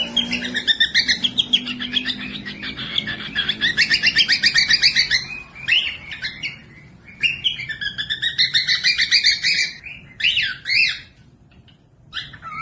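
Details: Cockatiel chatter played as tutor song for quiet young parrotlets: dense runs of sharp, harmonic chirps and warbled notes, fast and uneven, in two long bursts with short gaps, ending in scattered squeaky calls; faint low hum early on.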